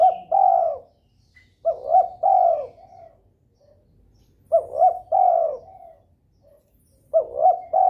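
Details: Breeding spotted dove calling eagerly to provoke rival doves to call back; low, mellow coo phrases repeat about every two and a half seconds, each two quick notes and a long falling coo, trailed by quieter coos.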